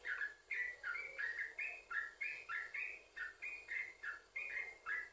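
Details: Vigorous yellow-vented bulbul song, chained without pause (sambung ropel), played to stir other bulbuls to sing: rhythmic run of bubbly warbled notes alternating high and lower pitches, about three per second.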